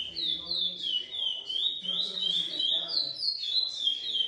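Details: Captive-bred Lesser seed finch of GP crossed with Coimbra song line, singing a continuous run of clear whistled notes that slide up and down, with quick repeated phrases and faint low background voices.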